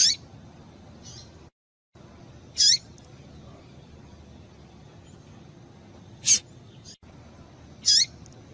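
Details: Breeding-condition female double-collared seedeater calling to stimulate males, giving about five brief, piercing downward-swept chips at uneven intervals, with a short silent break partway through and low background hiss.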